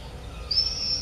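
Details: A common swift visiting the entrances of observation nest boxes on a house in Beek-Ubbergen, Netherlands, 8 June 2014, gives one thin, high, shrill scream lasting about half a second, over faint background noise.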